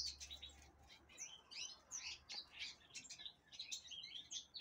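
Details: Captive-bred Black-throated canary, hatched 6 December 2023 and kept as an Angolan singing bird, sings a fast, unbroken, high-pitched warble of varied chirps, slurs and short trills over a faint low hum.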